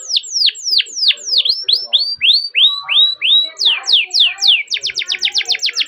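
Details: Atlantic canary singing a long rolling training song used as a lure for young canaries: series of descending whistled sweeps, then rising slurred notes, ending in a fast rapid trill of repeated notes.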